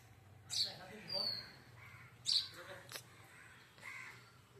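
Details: Sparrow softly chirping outdoors under a clearing sky: a few short, high, squeaky chirps and brief notes at irregular intervals, with steady background hiss and low rumble.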